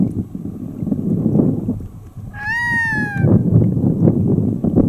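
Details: A red-throated loon on a river in Chukotka gives one drawn-out, nasal, moaning wail lasting about a second, rising slightly and then sliding down, over a steady low rumble of water or engine.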